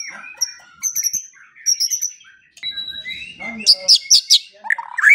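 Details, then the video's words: White-rumped shama song played as masteran for morning and evening training of songbirds: thin high whistles and soft notes, then a burst of loud sharp repeated chips and a final rising phrase. "Pancingan dan Masteran Pagi dan Sore Hari Murai Pendiam Langsung Ikut Bongkar Isian | shama bird"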